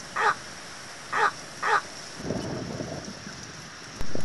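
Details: Little egret giving three short, harsh, croaking calls in quick succession, followed by a stretch of low rumbling background noise and a final loud burst.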